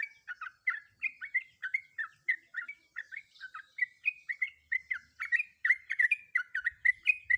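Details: A breeding-condition female sooty-headed bulbul calls a male with continuous chattering: bright, clipped chirps alternating up and down in pitch, roughly three per second throughout, with faint low rumbles near the end.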